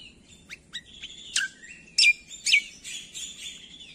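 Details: Leafbird song for training reluctant songbirds to sing, from a greater green leafbird: short scattered chirps building to loud, sweeping, downslurred whistles, then softer buzzy trailing notes.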